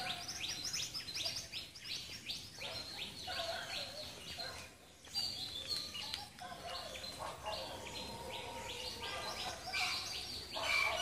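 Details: In Sri Lanka, a Tickell's blue flycatcher sings a dense run of high, bright chirping notes that tumble on almost without pause, with a brief lull near the middle, against steady ambient noise.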